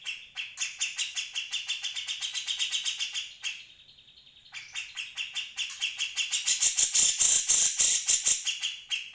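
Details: Grey-cheeked Bulbul, recorded as tutor material for other cage birds, giving rapid rasping chatter at roughly three to four notes a second, then a brief lull with a thin held tone, then louder, denser chattering.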